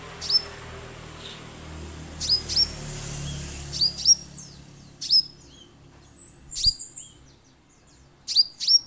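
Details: Orange-headed thrush lure recording meant to make birds sing at once: repeated high, sharp chirps, single or in quick pairs and triplets, over a steady hiss and low rumble that fades partway through.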